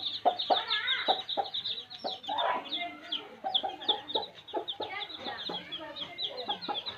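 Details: Village baby chicks chirping together in a busy chorus of high, slightly falling peeps over a bed of lower, quick clucking pulses.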